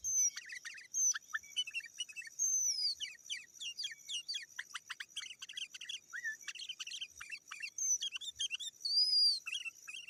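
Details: Sooty-headed bulbul calling to rivals, a recording used to lure wild birds and tutor caged birds: dense bursts of short chirps and slurred notes, with occasional high whistled sweeps over a steady high hiss.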